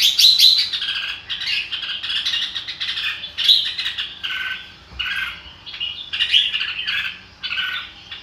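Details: Red-whiskered bulbul singing lively, bubbling phrases of whistled and chirped notes in short bursts, separated by brief pauses.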